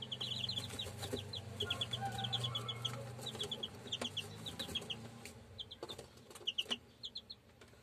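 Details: Purebred German Shamo chicks peeping: rapid high thin cheeps in quick runs of two to five notes, repeated throughout, over a low steady hum and some knocking sounds.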